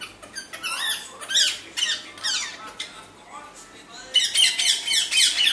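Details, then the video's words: Parrot calling indoors in a small room with rapid, harsh squawks and chattering screeches in irregular bursts, a louder cluster of grating calls near the end. "parrot# sound#"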